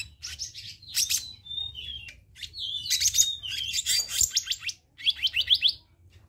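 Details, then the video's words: Black-naped monarch, recorded as a training and lure track for caged birds: busy high-pitched twittering mixed with short level whistles, dense buzzy chatter in the middle and a fast series of rapid repeated notes near the end. "Masteran/Pancingan Kehicap Ranting"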